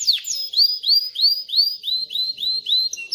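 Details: A male canary sings a rapid series of bright, upslurred whistled notes, about three per second, high-pitched and ringing, with no other sounds; the song is used to teach chicks to sing and prepare females for mating.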